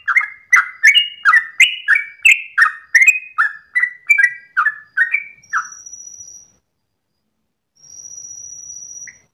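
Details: Yellow-vented bulbul (trucukan) singing at dawn in a long ropel style: rapid run of short whistled, bubbling notes near the same pitch for five seconds, then two steady high electronic-like tones with a gap between.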